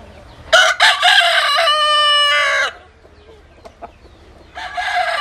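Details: Domestic rooster giving a loud, long crow of over two seconds that holds steady then cuts off, followed by quiet and the start of another crow at the end.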